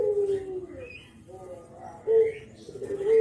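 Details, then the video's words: Spotted dove, Javanese bird, nodding while calling kuk geruk as a lure for spotted doves; a falling coo at the start, soft notes, then two short clipped coos. "KICAU KUK GERUK BURUNG JAWA BRENGGOLO"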